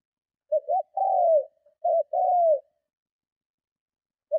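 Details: Spotted dove giving strong cooing meant to draw in and provoke rival doves: two soft phrases of a brief quavering note and a drawn-out descending coo, then a pause, in clean silence.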